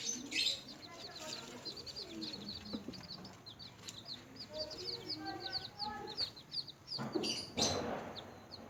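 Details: Newly hatched chickens feeding and playing, producing a busy chorus of short, high, slurred peeps, punctuated by sharp pecking clicks and louder rustles toward the end.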